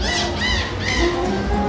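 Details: A busker's parrot at an outdoor restaurant in central Belgrade, Serbia, gives three harsh, raspy squawks about half a second apart over a street saxophonist's live music and street noise.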